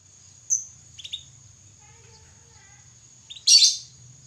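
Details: Young canary learning to sing: a sharp high note, a pair of soft chirps, then a harsh scratchy burst near the end. A steady high-pitched whine runs underneath throughout.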